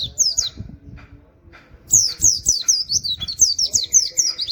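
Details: Oriental white-eye (pleci) firing off 'nembak wit wit kenari' song for use as a training master: a short high phrase, a quieter pause with soft low knocks, then a long volley of rapid, piercing, slurred whistles.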